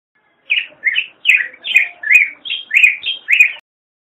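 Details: Black-headed grosbeak (Pheucticus melanocephalus) delivering a rapid series of nine rich, slurred warbles, alternately rising and falling, over about three seconds, with faint high ticks between phrases.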